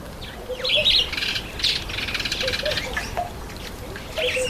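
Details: A grey-headed sparrow, bathing, gives quick bursts of bright, chirpy notes, several within each second, with softer, lower whistled notes and faint background bird calls.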